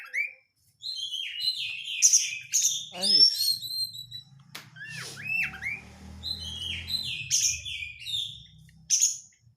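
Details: Oriental magpie-robin lure song, crecetan style, played to spur hard-to-start kacer: sharp whistled notes and buzzy strokes with a steep descending slur near three seconds, over a faint low hum.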